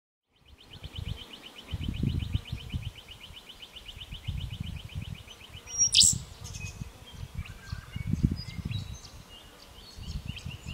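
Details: Male rufous songlark in the breeding season, Capertee Valley, New South Wales, November 2016: a rapid, even rattling trill lasting about five seconds, ending in a sharp loud note, then scattered faint chips, over low wind rumble.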